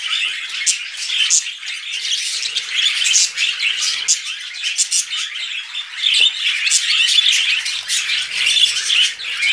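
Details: Budgerigars calling while mating: dense continuous chatter of harsh squawks, chirps and warbling notes with no pauses, several birds overlapping.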